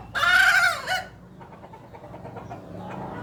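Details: Hen's odd call: one loud, harsh, arched note lasting under a second, then faint background noise.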